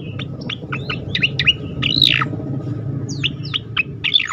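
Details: Striated grassbird 'tembakan' song used to lure other birds into singing: fast, varied sharp chirps and down-slurred whistles throughout, with a louder swooping note near two seconds, over a steady low background hum.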